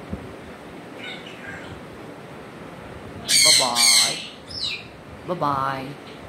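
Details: Quiet at first, then a pet African grey parrot gives two loud, grating squawks in quick succession, a short nasal note, and a final rough squawk.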